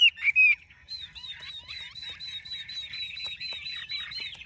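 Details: Chinese hwamei, large-bodied, in Vietnam: a few loud whistled slurs at the start, then a softer, steady chatter of thin rising notes repeated over several seconds.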